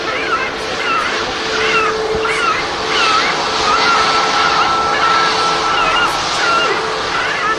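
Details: Herring gull distress calls, harsh rising-falling cries repeated over a second or so, played through a loudspeaker at Manchester Airport, UK, to draw birds before dispersing them with bird-scare cartridges, over steady engine and wind rumble, during a heatwave.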